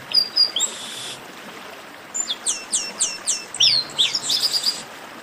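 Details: Chestnut-capped blackbird singing esquenta warm-up phrases: a high buzzy note, a pause, then a rhythmic row of about six sliding whistles and a burst of bright slurred notes.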